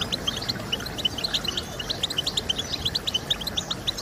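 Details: European goldfinch twittering, used to prompt singing: a steady string of short, clipped high chirps repeated several times a second, fairly soft, over a low background hiss.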